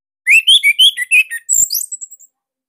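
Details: Bali orange-headed thrush, kept caged and used as training song for other thrushes, delivers a rapid string of bright whistled notes followed by a sharp, rising high squeal and trailing chips, all loud and close.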